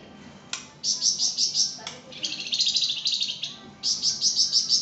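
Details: Energetic flamboyan song for training songbirds: a couple of sharp clicks, then several rapid rattling phrases of high, pulsed notes, one dropping slightly lower in pitch before a final quick high run.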